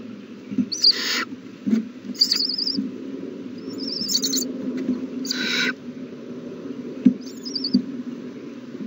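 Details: Feeding-time begging from owl chicks, 27 March 2020: two broad rasping hisses, around 1 and 5.5 seconds, plus thinner short screeches and wavering high trills over a steady low drone.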